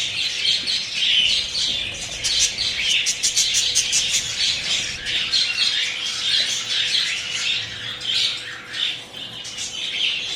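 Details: Budgerigar mother feeding her chicks: steady chorus of shrill, scratchy begging chirps, fast and irregular, many short bursts overlapping, some rising squeals, no pause in the noisy chattering.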